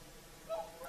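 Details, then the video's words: A whooper swan's short honk during the sunset evening song on Lake Saimaa, Finland: one clipped, nasal trumpet note against low background noise. "Swans singing at sunset"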